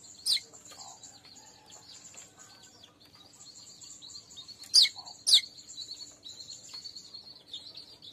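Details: Weaver bird sound used to lure weavers: a few loud, sharp, high chirps stand out over a thin, steady background of faint high twittering.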